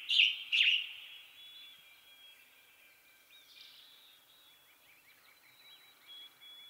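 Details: Western tanager song: two loud, hoarse, burry phrases at the start, then faint chirps and twittering from other birds in the background.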